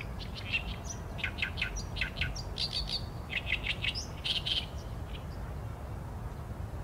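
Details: Oriental reed warbler in full song, Sony A7M3 recording: continuous chattering phrases of loud, grating notes repeated in quick groups, some higher squeaky accents, over a soft low-frequency rumble.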